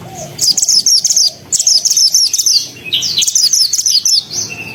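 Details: Pied bushchat in full, dense song, used as a master recording to teach white-rumped shamas: three quick bursts of high, sharp chattering notes, each about a second long, separated by short pauses, with a faint hum beneath.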